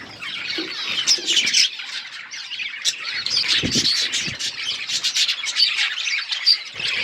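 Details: A flock of budgies keeps up dense high chirping and raspy squawks, broken by a few low thumps and rustles partway through.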